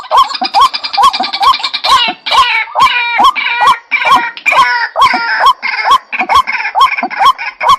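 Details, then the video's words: White-breasted waterhen lure call: loud harsh rhythmic calls, each with a nasal hook-shaped note, repeated about twice per second in long steady series. "tiếng chim cuốc mồi"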